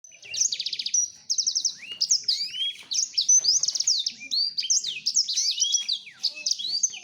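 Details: Male black-throated canary singing while courting a female: a fast, varied high warble of trills, sharp whistled sweeps and rapid buzzy rattles, delivered in dense bursts with brief pauses.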